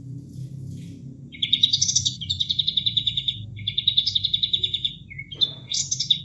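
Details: Bulbul song for conditioning caged birds: after quiet water sounds, two long rapid trills of high notes separated by a short pause, ending in a brief buzzy flourish.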